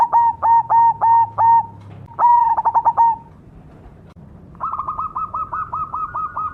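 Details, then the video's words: Cemani zebra dove cooing: a run of five short whistled coos, then a full stuttering phrase, followed by a fast series of slightly higher, thinner repeated notes. "suara burung berkutut cemani gacor mangung"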